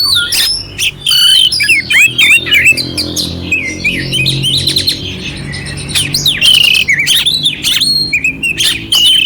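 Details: Oriental magpie-robin (kacer) in clear song with rough fill-ins, used to wake another bird's aggression; bursts of sharp clicks and twisting whistled phrases alternate with short pauses, faint low hum underneath.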